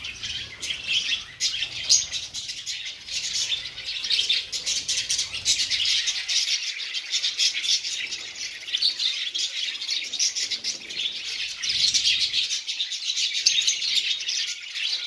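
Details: A colony of lovebirds eating seeds keeps up a dense, shrill chatter of high chirps and squeaks.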